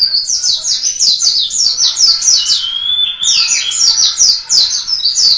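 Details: Indonesian white-eye of local Malang stock singing vigorously: rapid, high, thin chirping notes in quick descending bursts, one short drawn-out whistle near the middle, then fast twittering resumes.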